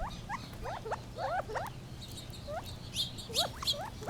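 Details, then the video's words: Gambel's quail calling with quick, sharply rising chirps in loose bursts, some overlapping, with a few higher thin notes and a constant low hum behind. "Funny Sounds of the Gambels Quail"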